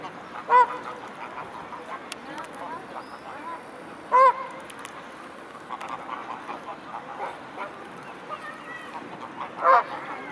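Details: Evening recording of a mute swan flock at the Blaues Wunder, 22 May 2016: three loud, short, nasal honks spaced several seconds apart, fainter calls and clicks in the background.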